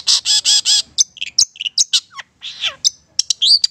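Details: Long-tailed Shrike of the Madura form, a tutor recording for birds: four rasping buzzy notes open, followed by varied whistles, downward slurs and sharp high chips in a mixed, mimic-like phrase.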